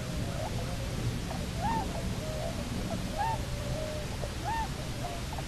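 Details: Cahow, a Bermuda petrel, one of a pair back on Nonsuch Island, Bermuda, on 29 October 2018: three rising-falling moaning calls with fainter linking notes, roughly every one and a half seconds, against constant low wind rumble.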